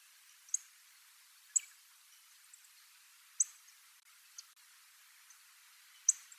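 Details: A single Little Bunting, a passage migrant, in a school ground on Tobishima island, Japan, gives sharp, very high 'tzik' ticks, five in about six seconds at an uneven pace, over quiet background hiss.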